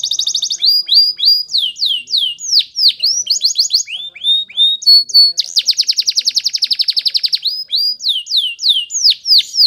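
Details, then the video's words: Canary training song, Spanish Timbrado style: repeated falling whistled notes, short ringing chips, then a long rapid metallic trill and more swooping slurs, loud, clear and unbroken. "The Best Canary's Training song"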